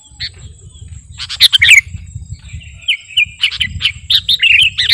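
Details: Sooty-headed bulbul of the kutilang garuda type, singing vigorously, used as a master song to lure birds: scattered sharp chirps, then a rapid bubbly run of warbled notes over a steady thin high whine and low rumble.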